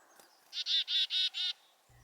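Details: Black-capped Chickadee giving its 'chickadee-dee' alarm call: four harsh, buzzy 'dee' notes in quick, even succession, about five per second, against a quiet background; the number of 'dee' notes relays danger information.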